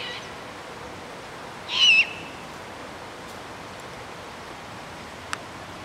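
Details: Great horned owl family with owlets at an evening grove in Golden Gate Park, San Francisco: one brief, harsh, wavering screech near the start, then quiet with a faint click.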